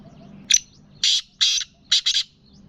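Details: Black francolin, a cross between the Gangas lalpotia and Sindhi kala teetar forms: a harsh grating call of four to five loud rasping bursts, the last two doubled close together, over a low steady hum.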